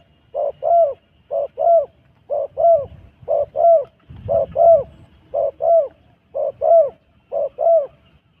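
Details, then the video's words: Wild dove from Cambodia cooing in a regular pattern of paired notes, a short coo then a longer curving one, repeated about once a second with faint low noise behind. "សំទ្បេងល្អ លលកព្រៃមួយនេះ"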